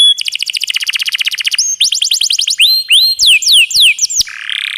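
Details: Canary tutor song in the 'roll tembak' style with an added water-trickle effect: a rapid roll of repeated notes, a second quicker roll, loud sweeping whistles, and a soft buzzy phrase at the end.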